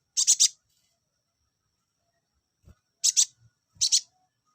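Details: Olive-backed sunbird, a recording meant to put males into breeding condition: three bursts of quick, buzzy, very high notes, two or three per burst, separated by silent pauses.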